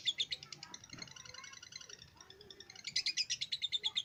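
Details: Caged lovebird of the Starla type singing hard right after its head cover is taken off: rapid high chattering twitters, rattled series of sharp notes about three per second, building into a dense loud burst at the end.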